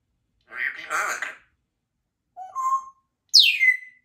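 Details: A 2-year-old female Congo African grey parrot practising her sounds and words gives a brief word-like utterance, then a short rising whistle and a bright whistle sweeping sharply downward.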